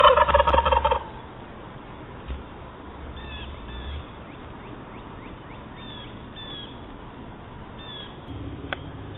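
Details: A wild turkey that shows up every morning at 6:30am gives one loud, fast, rattling gobble lasting about a second, then faint high chirps of small birds carry on in the quiet.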